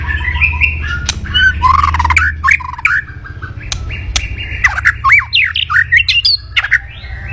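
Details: Aggressive white-rumped shama kretekan crackling, meant to provoke rival birds: jerky whistled slurs and harsh chatters mixed with sharp snapping clicks, over a low rumbling hum.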